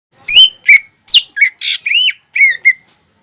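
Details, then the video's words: Greater green leafbird in full song, used as a lure to stir young leafbirds into singing: eight loud, clear whistled notes, some sliding up and others dropping, spaced in quick bursts over three seconds, with no background noise. "PANCINGAN CUCAK IJO GACOR UNTUK MERANGSANG EMOSI OMBYOKAN/TROTOLAN BIAR CEPAT BUNYI"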